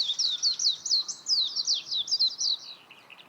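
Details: Rapid, tumbling high chirps from a warbling white-eye, closely spaced and slightly descending. The phrase fades into softer trailing notes near the end.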